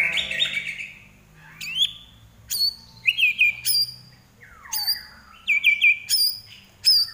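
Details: Caged Common iora from Indonesia in vigorous song: a brief warble, then clean, sharp whistled notes with quick downward flicks, spaced irregularly about every half second to second.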